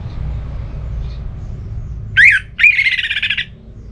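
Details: Orange-headed thrush ngeplong song used to stimulate another bird: a short rising whistle followed by a harsh, buzzy, rattling phrase lasting about a second, over a soft low background.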